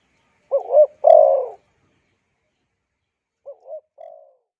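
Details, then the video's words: Spotted dove calling, as used to excite wild doves and train decoys: one strong phrase of a short doubled hoot then a long husky coo, followed after a pause by a quieter, shorter repeat. Background silent. "Tiếng Chim Cu Gáy dùng kích Bổi luyện Mồi hay"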